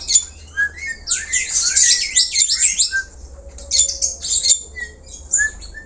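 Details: Black-collared starling in full natural song, used to lure other birds: dense run of harsh, grating squawks and screechy notes, then pauses broken by scattered whistles and buzzy bursts.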